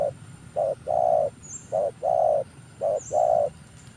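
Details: Spotted dove used to lure wild birds, a newly trained decoy: three evenly spaced phrases, each a short coo followed by a long smooth coo, with faint high chirps from small birds behind.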